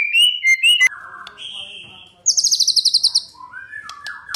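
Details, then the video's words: Morning lure song of a White-rumped shama, aimed at making other shamas respond. Ringing whistled notes drop into softer warbles, then a fast high buzzy trill of about ten pulses and rising whistles. "PANCINGAN MURAI BATU NGOTOT | MENDONGKRAK EMOSI LAWAN"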